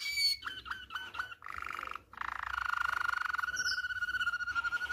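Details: Fault-free Malinois canary song for tutoring canary chicks: brief choppy notes and gurgling bursts, then a sustained, even, low rolling trill, a short high whistle appearing late in the phrase.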